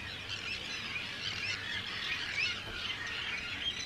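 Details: Many overlapping harsh, grating screeches from Arctic terns in a crowded breeding colony of hundreds of birds on Rottumerplaat, the Netherlands, recorded 4 June 2023; steady, unbroken din throughout.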